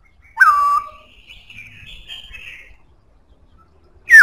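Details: Black-throated laughingthrush with a strong voice: one loud, clear whistled note falling then held level, followed by faint warbling and the start of another bright whistle at the end.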